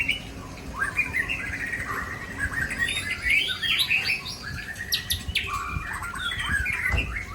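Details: Aceh white-rumped shama unloading its repertoire of mimicked fills: rich varied warbling with quick whistles, chatters and sharp high clicks, delivered in a steady continuous flow.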